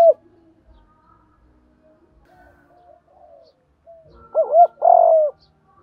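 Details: Spotted dove used to lure and provoke wild birds; after a long quiet stretch with faint murmurs, one cooing phrase of quick hollow notes and a long rolling purr.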